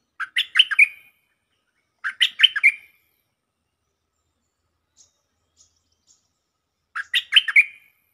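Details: Stripe-throated bulbul singing vigorously in a lure recording: three identical bubbly phrases of five to six rapid warbled notes, two close together and a third after a long pause, with faint ticks between.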